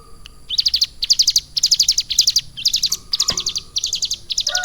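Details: High, fast trill bursts in tight clusters, each about a third of a second and separated by short pauses, come from a caged Bar-winged Prinia taught lovebird-style song over three months. One sharp click is heard.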